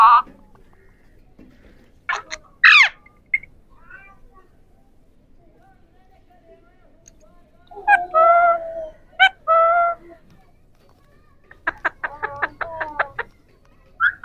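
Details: Three ringneck parrots, known as Pahari parrots, talking: sparse, voice-like harmonic squawks and slurred phrases, ending in a quick burst of clipped, repeated notes, with long quiet gaps between outbursts.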